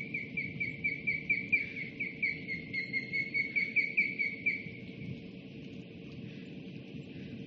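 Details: Osprey calling at a nest on a live nest camera, 26 July 2016: rapid repeated thin whistled chirps for about four seconds, then fading into faint chirping and low background rumble.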